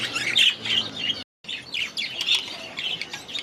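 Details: Young budgerigars in their new aviary: dense high squawking chatter with rapid irregular chirps, broken by a brief silent gap.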